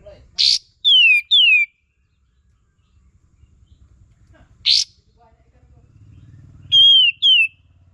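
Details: Sooty-headed bulbul call used as a tutor sound to provoke singing: a harsh click-like burst, then two pure falling whistles, another harsh burst, and a final pair of clear whistled notes over low background hum.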